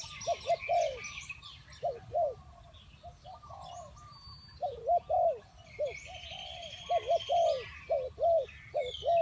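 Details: Spotted dove calls in a loose series of short, arched, hollow coos, often in pairs or triplets, with pauses between bursts; faint chirps of other birds sound higher above.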